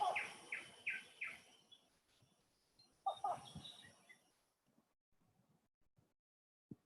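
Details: Wreathed hornbill call from Kinabatangan, Borneo, played as a recording in a conservation talk: a run of loud, harsh, harmonic barks spaced under half a second apart, a second burst, then fading to scattered faint clicks.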